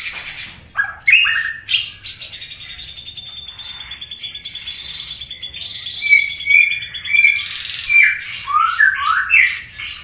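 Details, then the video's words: White-rumped shama song opening with sharp chirps, then a long sustained buzzy rattle, followed by clear whistled notes and quick rising and falling phrases. "Murai Batu GACOR"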